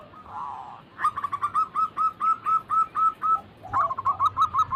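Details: Zebra dove calls used to prompt birds that seldom call. After a soft opening note, a steady series of short, even, mid-pitched coos follows at about two per second, then a quicker final burst.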